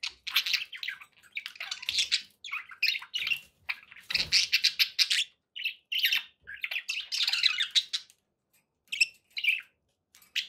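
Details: Budgerigars kept as pets give continuous warbling chatter: dense runs of buzzy, scratchy chirps and rapid twittering, broken by short gaps, with a few louder squawk-like notes and faint low rumbling in the background.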